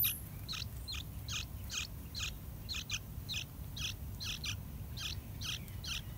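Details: Two fully grown, nearly fledged Yellow-vented Bulbul chicks in the nest, fed wild fruit and dragonflies by their parents, give high, thin, scratchy begging notes, repeated about twice a second over a low rumble of background noise.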